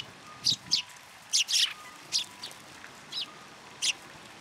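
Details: Sparrows visiting a feeding platform for food at a shrine, February 2023: sharp, high chirps at irregular intervals, some doubled into quick pairs, about eight notes in total, with a faint steady tone low in the background.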